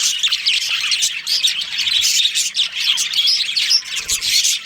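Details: Budgerigars, a breeding pair within a budgie colony, filling the air with dense, continuous high chatter of twittering chirps and short warbled notes, many birds overlapping.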